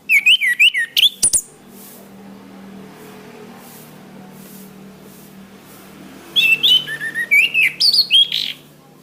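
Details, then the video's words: Master-track song of an orange-headed thrush used for training caged birds: a quick burst of rising and falling whistled notes and sharp high clicks, a long quiet pause with faint low hum, then another rapid whistled phrase. "Suara Bunyi Masteran Anis Kembang"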